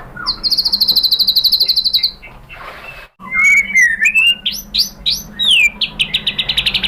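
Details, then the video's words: White-rumped shama song used as a lure for another shama: a high rapid trill, a pause with a soft rush, then a clear slurred whistle and quick varied rising and falling notes. "MURAI BATU jadi EMOSI NYAUT ikut BUNYI GACOR BONGKAR MATERI dengan PANCINGAN MURAI ini ¦ SHAMA BIRD"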